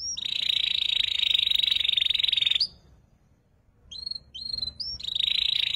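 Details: Juvenile canary learning ngeriwik song, giving a steady, high, buzzing trill for over two seconds, a pause, a few clipped whistled notes, then the trill resumes.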